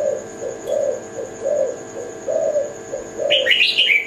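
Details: Kelantan-type zebra dove giving soft low rolling coos, four or five short notes, before a brighter burst of chirping from another bird breaks in near the end.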